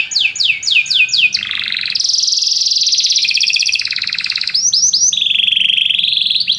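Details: Canaries singing together after hearing music, opening with repeated downward-swept whistles, then long buzzy high trills and a sustained level warble.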